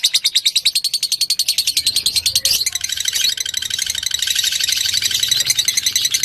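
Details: Lovebird fighter singing as a lure to set off another lovebird: fast high chattering trill, steady pulses at first, then a denser, scratchier twittering burst after a brief break.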